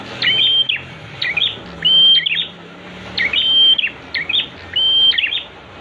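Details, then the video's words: Prinia song played as master training audio so kept birds start singing: six phrases over about six seconds, each a sharp chip cluster around a level, pure whistled note, with faint low hum beneath. "Masteran untuk prenjak, agar cepat bunyi"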